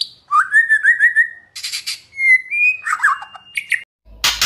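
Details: Lure song of a white-rumped shama for priming competition birds: a rising warbled whistle run, buzzy bursts, sliding clear whistles and a sharp burst of noise at the end.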